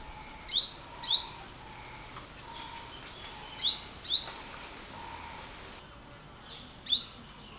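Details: Olive-backed Sunbird calling with bright, rapidly rising high chirps, mostly in close pairs, repeated several times over about seven seconds against a soft steady background tone.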